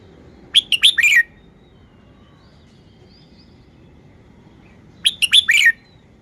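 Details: A caged red-whiskered bulbul delivers its show song: a lively phrase of four or five loud, ringing whistled notes with downward slurs, then silence for about four seconds before a near-identical phrase, faint low background noise throughout.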